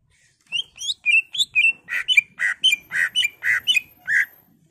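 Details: Greater green leafbird, caged, singing emotionally as a provoking recording: clear whistled notes give way to a regular series of harsher, buzzy notes, about a dozen in under four seconds.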